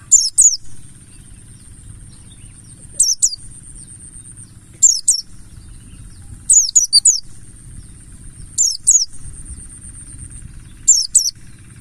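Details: Buxtoni mountain white-eye giving a 'ngalas' lure song meant to set other birds singing: brief clusters of piercing high chirps about every two seconds, with long pauses, a constant faint high whine and a soft low hum.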